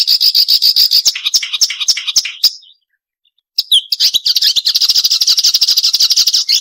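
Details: Sharp crecetan chatter from a Marsh warbler, recorded clean as training song for songbirds: a rapid, buzzy, high chattering stream, a short pause, then a slurred whistle and renewed fast scratchy chatter.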